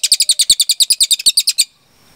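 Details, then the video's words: Cililin giving a short, fast series of high, sharp two-part notes, about ten per second, ending after under two seconds. Recorded as training material for kept songbirds. "MASTERAN CILILIN GACOR JERNIH TEMBAKAN PANJANG"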